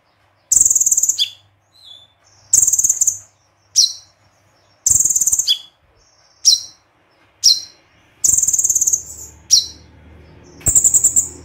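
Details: Konin gacor with full tembakan song: high buzzy trill bursts alternating with crisp descending chip notes, delivered roughly every second over eleven seconds, with a faint low hum near the end.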